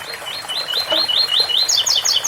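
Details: A double-collared seedeater delivers the ouro fino song, 8x4 or 7x4, with fountain water sound. Rhythmic rising whistled slurs give way to four emphatic, higher descending double notes.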